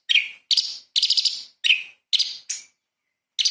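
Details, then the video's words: Cucak cungkok, the light-vented bulbul, singing lively shot-like phrases for training kacer and murai; six harsh bright chirps in quick succession, then a gap before a final note. "CUCAK CUNGKOK SUPER GACOR ! Full Isian TEMBAKAN ISTIMEWA BURUNG KECIL"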